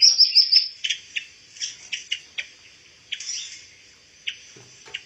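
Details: Pancawarna bird, a rare insect-eating songbird used to train white-rumped shamas. A quick run of four bright notes opens, then single sharp high chirps follow every half second or so, with short pauses.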